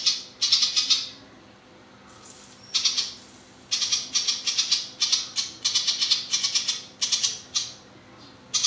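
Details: Ciblek papua, a songbird kept as a tutor for competition birds, giving its long, sustained 'ngebren' machine-gun style song: rapid bursts of high, rattling, buzzy notes in short volleys, repeated in quick succession with brief pauses between.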